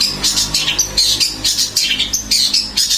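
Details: Long-tailed shrike in a fast, scratchy chatter of high squeaky notes, delivered in quick bursts that run almost without pause for three seconds.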